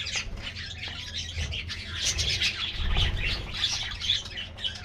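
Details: Morning treat time for colorful budgies: a steady flock warble of chirps, squeaks and scratchy notes, swelling and fading as birds call over one another.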